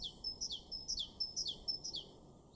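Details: Great tit singing in a garden in Weener, East Frisia, in far northwestern Germany, in April: high two-note phrases, each a sharp note dropping into a lower slurred one, repeated about twice a second. The notes ring out over faint low background noise.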